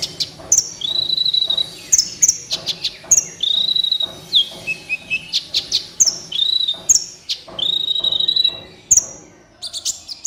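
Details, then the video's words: Kolibri ninja sunbird, a master recording for teaching captive birds. It gives rapid, piercing high notes and sustained level trills again and again, with short buzzy phrases between them, over a steady busy chatter. "MASTERAN BURUNG KOLIBRI NINJA GACOR COCOK BUAT PANCINGAN KOLIBRI NINJA MALAS BUNYI"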